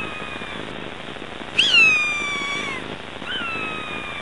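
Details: Galapagos hawk of the Galapagos Islands, raising chicks: one strong, drawn-out scream that starts sharply and slides gradually downward, then a shorter, fainter second scream, over a steady hiss of background noise.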